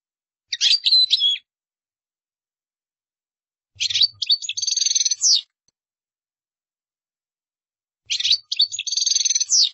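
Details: European goldfinch song of the qdara type, given as three separate phrases of rapid, sweet twittering with buzzy trills, each lasting about one to two seconds, with long quiet gaps between them.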